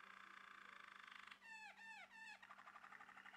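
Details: Male Malinois Waterslager canary: after a stretch of hiss, three drawn-out falling notes with rich overtones, then a soft, rapid rattling roll. A low hum runs throughout.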